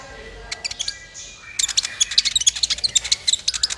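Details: Sunbird song intended to prompt other birds to sing: after a few soft scattered chips, a fast, continuous burst of high, bright chattering notes, over a low background hiss.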